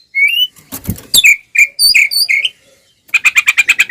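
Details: Oriental magpie-robin singing aggressively with tail spread, a provocation for other magpie-robins: a rising whistle, a noisy burst, clear slurred notes, then a quick even series of about eight chattering pulses.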